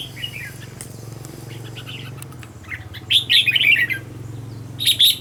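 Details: Red-whiskered bulbul decoy in training. A soft slurred note is followed by a loud, rapid burst of warbled whistles, over a steady low mechanical hum.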